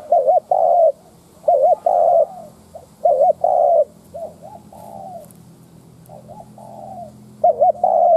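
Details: Captive lure spotted dove cooing to goad wild doves: clustered phrases of a quick wavering two-part note and a drawn-out level coo, separated by softer trailing coos, with a low steady hum underneath.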